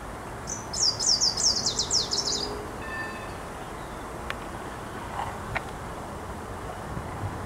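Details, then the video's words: Eurasian wren singing as a spring visitor in Warsaw on 9 June 2023: a brief, very high, rapid trill of sharp repeated notes lasting about two seconds, followed by faint background rumble and a few clicks. "Wójcik - Wiosenny gość w Warszawie"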